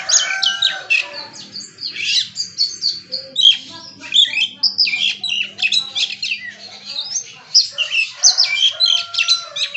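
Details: Oriental magpie-robin (kacer) showing off its full repertoire of learned phrases: a dense, fast medley of high whistles, trills and sharp chirps, with several other birds' calls mixed in the background.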